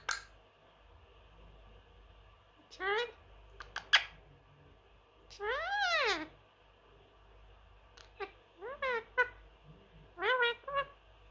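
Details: House-kept Indian ringneck parrot, a three-year-old male known for copying speech. Several bursts of rising and falling harmonic syllables, one long arched phrase, clicks in between, and a person talking to the bird.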